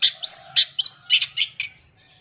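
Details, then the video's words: Long-tailed shrike singing a full-isian song used to lure young birds: short, harsh, squeaky notes at an uneven pace, some sliding up, over a faint low hum. "PANCING SUARA CENDET FULL ISIAN"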